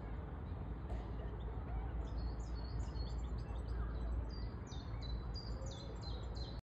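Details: A European robin sings from a tree in Saltwell Park, Gateshead, UK: thin, high, varied phrases of quick notes and short trills, fairly faint over a steady low rumble of distant traffic or wind.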